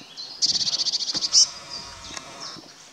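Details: Courting Eurasian blue tit in woodland near Wuppertal Beyenburg, North Rhine-Westphalia, 12 May 2021: a single fast, high trill of about a dozen pulsed notes finished by one sharper upslurred note, followed by soft quiet chirps.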